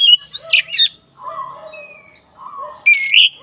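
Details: Black-breasted Oriental magpie-robin in song for a training recording: bright rising whistle, soft low warbled notes, a thin level whistle, ending in a loud upslurred phrase.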